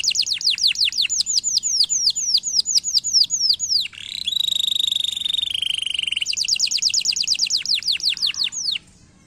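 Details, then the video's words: Canary song used as a stimulating training song for lazy canaries: rapid trills of steeply falling high whistles, then a sustained buzzy nasal phrase near four kilohertz, then another fast run of falling notes. "bom canário! treinar o som de canários preguiçosos cantando"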